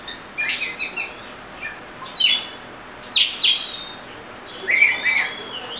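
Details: Oriental magpie-robin with bursts of buzzy, scratchy notes and a few clear whistles, delivered in short separate phrases.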